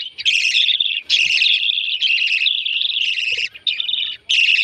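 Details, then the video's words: Young lovebirds during feeding, giving loud raspy, trilling begging calls in long unbroken runs with a few brief breaks and faint soft rustles underneath. "Feeding with baby Lovebirds"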